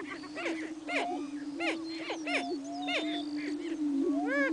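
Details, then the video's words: Greater prairie chickens displaying on a spring lek at Buena Vista Marsh, 21 April 2007; continuous low humming boom beneath repeated sharp cackling whoops and rising hooked calls, roughly two per second. "Prairie Chickens booming"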